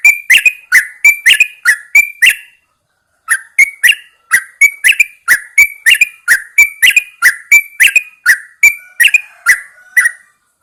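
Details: Yellow-vented bulbul, a caged bird set outside at dawn to prompt it to sing, gives fast chattering whistled notes in a long burst, pauses briefly, then resumes an equally rapid bubbly series.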